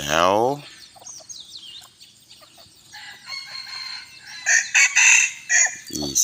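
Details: Young bantam cock on a hot evening, giving a loud broken crow of harsh ringing bursts near the end. It follows a brief sliding tone at the start and light chirping in between.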